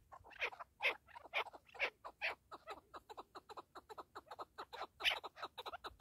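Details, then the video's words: Partridge, locally called keklik, giving a rapid series of harsh chattering notes, about two per second, broadband bursts that stay loud and steady throughout, with no other clear sounds. "KEKLİK / PARTRİDGE"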